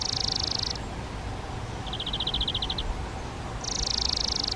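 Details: Spotted flycatcher brood in a garden-hut nest box, fed flying insects by both parents; a high rasping hiss, then a quick train of pulsed notes, then another hissing burst, over low rumble.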